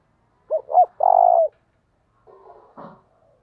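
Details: A low spotted dove phrase in the 'thúc' luring style: two short arched hoots and one longer vibrating coo, with a quieter, rougher coo answering about a second later.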